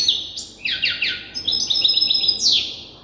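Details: Young European goldfinch hybrid, still learning its song by copying an older hybrid, sings a quick run of bright, twittering notes with rapid downward sweeps and a high buzzy trill near the end, in a quiet indoor setting.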